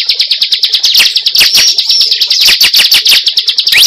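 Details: Cible bird call used for luring: a fast, even, high-pitched trill of clipped notes, about three per second, overlaid by brief squeaky whistles and a rising note at the end.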